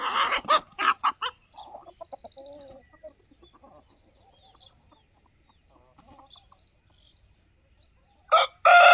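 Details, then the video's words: Aseel chickens on a free-range desi poultry farm in India give loud harsh squawks and crowing bursts at the start and end, with soft clucking and low murmurs between. "असील की आवाज"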